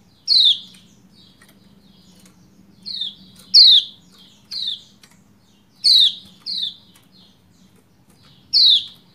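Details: Female Lombok white-eye's 'ciak ciak' calls meant to make a male sing: seven loud, sharply falling chirps, some in quick pairs, over a faint hum.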